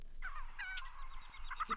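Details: A Common Gallinule (Gallinula galeata) on a vintage birdsong LP calls with a harsh, nasal, hen-like cackle and a couple of honking notes near the end, over a low rumble and hiss.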